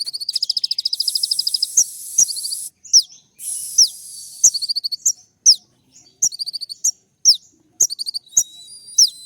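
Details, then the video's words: Kolibri ninja sunbird in rapid 'tembak' song used to make other sunbirds respond: a long fast rattle of high notes, then alternating shrill downslurs and short ticking bursts with hissy trills between. "putar sekali koninmu pasti nyaut masteran suara tembak yang buat konin emosi"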